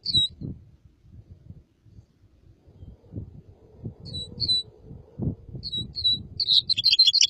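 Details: Red crossbill song: spaced pairs of short, high, downslurred notes repeated several times, ending in a quick jumbled burst of notes. Steady low rumble and knocking sounds run underneath.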